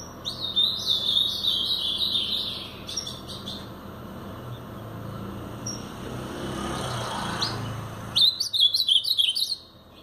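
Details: Brown Blue-black grosbeak singing Paraná-style song: a rapid warbled phrase of high slurred whistles, a quieter stretch with a low rumble like a passing vehicle, then a sharp, stuttering repeat of the phrase.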